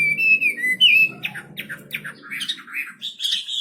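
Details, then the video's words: Wambi bird song: opening with long, clear sliding whistles, then breaking into short, scratchy chirps and ending on a high whistled phrase, over a soft low background hum. "Burung wambi istimewa gacor full"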